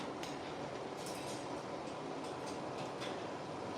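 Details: Steady broadband rumble like a passing train, with faint rhythmic clatter and no animal calls.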